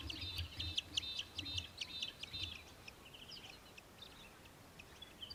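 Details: Australian hobby, also called little falcon, recorded in Victoria, Australia, in December 2023: a fast run of sharp, ringing chattering notes for about two and a half seconds, then fainter scattered notes, over low rumbling background noise.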